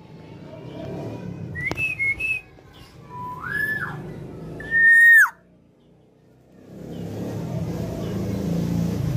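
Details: Tame female black-naped oriole singing vigorously: several fluted whistles, a short high pair, then a mid-pitched upswept note and a loud level whistle ending in a steep drop, with room hum afterwards.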